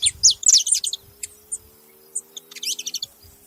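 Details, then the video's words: Saffron finches calling as a group: a burst of thin, high downslurred chirps at the start, then scattered single tweets, and another quick cluster of notes near the end over a faint steady hum. "Canário da terra junto fazendo barulho"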